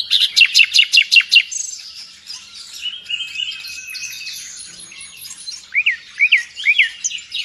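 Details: Nightingale singing vigorously, kept in Indonesia as a tutor bird for songbird hobbyists: opens with about eight loud, rhythmic sharp notes, then a softer jumble of warbles, ending with several rising, slurred chirps.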